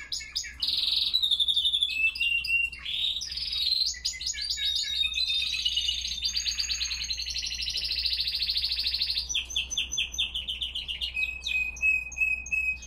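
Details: Classic Spanish Timbrado canaries singing in the cold, 5°C and 87% humidity, 07:46 am; varied phrases of pure whistles, rapid rolls and metallic trills changing every few seconds, ending in a clear whistled note and chirps.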